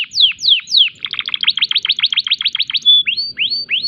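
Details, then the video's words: Canary in breeding condition, singing hard in a unique phrase style: three falling slurs, a rapid rattling trill, a level pure whistle, then rising upswept notes. "Semua burung kenari pasti langsung nyaut !! tembakan unik kenari gacor birahi"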